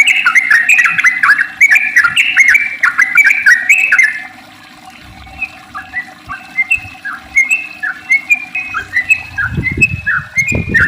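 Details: Sooty-headed bulbul 'ropel panjang' song played to set other bulbuls singing. A crowded burst of bubbling whistles for four seconds, then sparser short chirped notes repeated about three per second, with a low thumping noise near the end.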